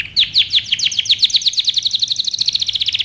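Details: Excited male canary singing to a female to get her into mating posture: a fast run of sharp, downward-sweeping chirps repeated about eight times a second, high and clear, steady throughout.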